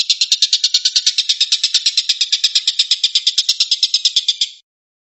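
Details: Tengkek buto, the long-tailed shrike, delivering a 'tembakan' burst: fast machine-gun-like series of harsh, buzzy notes at about seven per second, ending abruptly before silence in the final half second.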